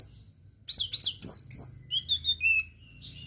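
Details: Orange-headed thrush singing in the teler style: after a brief pause, rapid, very high, sweeping whistled notes tumble into a fast jumbled phrase, then slower descending slurred whistles close it.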